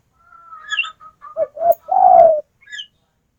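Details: Female spotted dove calling the male with two brief coos and a long, slightly falling coo. Before and after it a higher whistled tone and thin chirps are heard from another bird.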